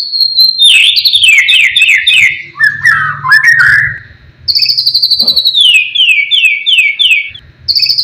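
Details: White-rumped shama singing hard, meant to make rival shamas agitated: a rapid chain of descending whistled notes, lower twisting phrases, then another fast falling series over a faint low hum.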